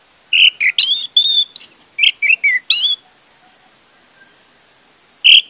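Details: Orange-headed thrush song used as a lure to get a silent bird singing: a rapid run of about ten clear whistled notes, some sliding upward, others short and chirpy, then a pause and one more high whistle.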